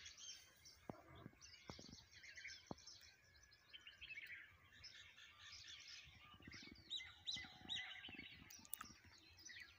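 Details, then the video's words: Morning chorus of many birds in a garden setting. Overlapping high chirps, trills and whistles blend into a busy, distant wash. A few sharp clicks and low rumbling background noise are also heard. "morning in nature and birds sounds"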